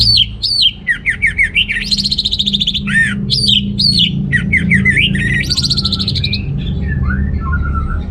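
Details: Orange-headed thrush in full song, used to stir males lacking breeding drive: a dense run of sweeping whistles, quick slurred notes and buzzy trills, with steady low background hum throughout.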